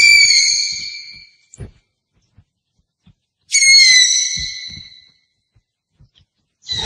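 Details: Two long, high, piercing screeches from an owl, each fading gradually over about a second and a half, separated by a quiet pause with a few soft clicks.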